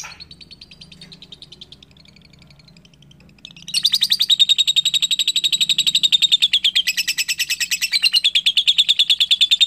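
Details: Soft, thin chirps from a young lovebird, then a sudden loud, sustained ngekek chatter of fast, rasping repeated notes that carries on to the end.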